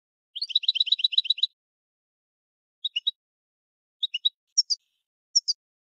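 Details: European goldfinch with a fast liquid trill of repeated notes, followed by sparse paired and triple chirps, some higher and sharper; no other sounds.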